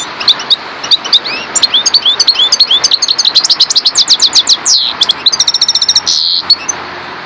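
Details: Long, sustained song of a parva goldfinch: a rapid, unbroken stream of tinkling chirps and upslurred notes, a falling buzzy sweep near five seconds, then a fast metallic trill and a harsh buzzy note.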